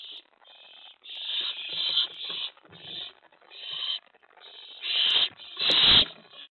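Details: Owl at a nest after 1 AM on 24 May 2017, when prey was delivered. Rapid runs of raspy hissing screeches are followed by two sharp thumps and loud scuffling.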